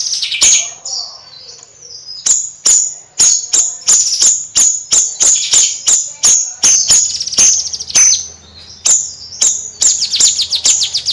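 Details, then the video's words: Bayeman bird singing in a lively nyrecet style: rapid series of sharp, high, ticking chips with thin whistled notes, bursts every half second or so, short pause near two seconds, faint low hum underneath. "Suara Kicau Bayeman Nyrecet Gacor Kicau Bayeman Siri Siri"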